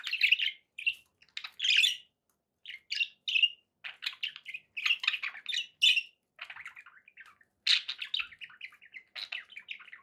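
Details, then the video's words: Indoor budgerigars chirping in quick, uneven bursts of sharp tweets and squawks, separated by short gaps, building into looser chatter later on. "budgie sounds"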